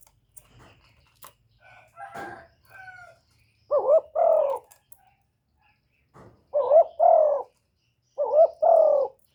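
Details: Spotted dove used to call in wild doves: faint scattered chirps and a soft call at first, then three clear two-part coos, each a brief note followed by a longer wavering coo.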